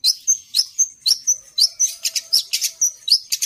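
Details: Long-tailed shrike delivering song with phrases taken from other birds, alternating sharp chirps and clear, level whistled notes in a quick, bouncy rhythm of about two per second.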